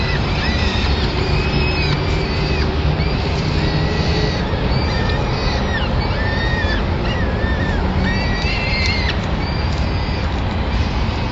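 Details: Peregrine falcons at a Madrid nest on 25 April 2016, where the female arrives with a pigeon and feeds the chicks: drawn-out, wailing calls with slightly falling ends, repeated over heavy low rumbling noise.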